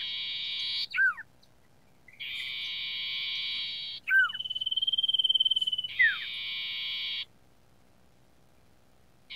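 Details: Sooty-headed bulbul song used to train caged birds: long harsh buzzy phrases alternate with a quick pulsed trill, each section followed by steeply falling whistled notes, repeated over several seconds in a quiet background.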